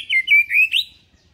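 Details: White-rumped shama lure song, deliberately pitched calm and not aggressive, played so young birds start singing like adults: one fast, warbling, slurred phrase of clear high notes lasting about a second, then quiet.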